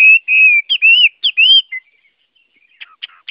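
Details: Chinese hwamei (Garrulax canorus) song of long steady whistles and looping rising-falling warbles, loud and clear, trailing off into a few faint scratchy notes.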